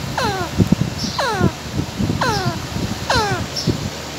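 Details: Parrot eating and calling, with four evenly spaced descending whistled squawks among crunching and clicking noises of feeding.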